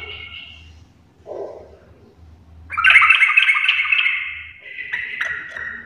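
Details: Sooty-headed bulbul in full garuda-style singing, starting after a quiet stretch with faint low murmurs, then bursting into a loud, grating run of quick pulsed notes that carries on and trails into a steadier buzzy tone.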